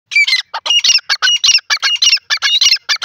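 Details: Grey francolin calling in India: loud, harsh, rapidly repeated multi-note phrases with strident squeaky overtones, delivered in a continuous rhythmic series of about three seconds.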